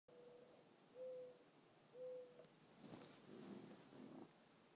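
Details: Mourning dove in the evening: three low, steady hooting notes spaced about a second apart, followed by a burst of rustling noise with fainter low sounds.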